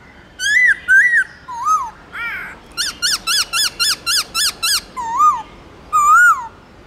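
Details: Forest-style song (giọng rừng) of a black-throated laughingthrush, played for training caged birds: wavering whistles, then a run of about eight rapid, identical ringing notes, closing with two slower rising-and-falling whistles.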